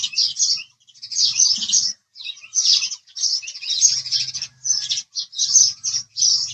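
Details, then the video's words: A house sparrow chirps in rhythmic groups of scratchy, high notes, each burst lasting about half a second with short pauses between them. A faint low hum sits underneath. "house Sparrow Chirping Sound"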